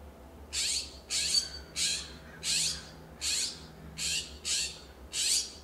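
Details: Series of eight harsh, rasping squawks, roughly one every 0.7 seconds, from California scrub-jays exchanging loud calls in a Pacific Grove, California backyard with coast live oak and Monterey cypress; steady low hum behind.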